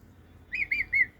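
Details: Hand-tame pet African grey parrot giving three short, clear whistled notes in quick succession, the first rising and the next two level and slightly falling, each about a fifth of a second long, over a quiet indoor background.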